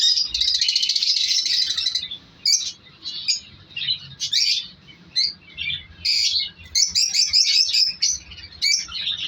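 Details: African lovebirds, colour varieties including Fischer's and lutino, in a breeding colony during winter with chicks hatched: dense shrill chattering and screeching calls from many birds, continuous at first then in rapid squeaky bursts.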